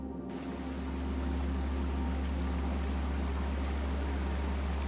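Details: A steady low mechanical hum mixed with rushing, water-like noise comes from a Welsh forest setting, with no animal calls.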